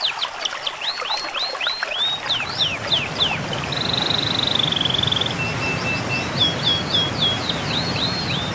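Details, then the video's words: Training song for birds in moult and after moulting: rapid series of high, down-slurred whistled notes, then a long even buzzy trill and a few faint piping notes before the slurred whistles resume, over steady rushing background noise. "masteran Burung istimewa.Cocok untuk Burung Mabung.&Pasca Mabung"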